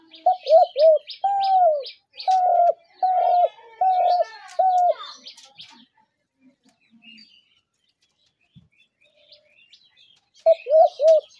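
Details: Spotted dove trap-lure call: a series of quick coos then longer flat coos, a pause of several seconds with faint background chirps, then the coo phrase starts again.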